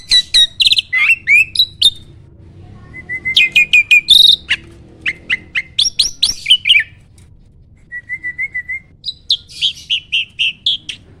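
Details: Training song of a starling, played so other birds are provoked to sing. Sharp chips and scratchy notes come in bursts separated by short pauses. A soft series of low whistled notes sits near the middle, and quick high chirps close the song.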